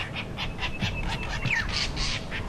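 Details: Lilac-breasted rollers arguing around a safari vehicle on a live game drive, 16 November. They trade harsh, rasping squawks about three or four times a second over a low engine-like rumble.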